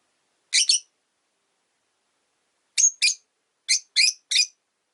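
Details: Rosy-faced lovebirds, three caged together by a window, give sharp high chirps: a quick double note, a pause, then a paired note and three rapid chirps.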